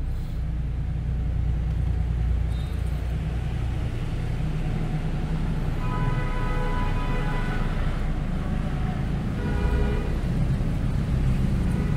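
A steady low traffic rumble with a few brief tonal, music-like notes; no animal calls.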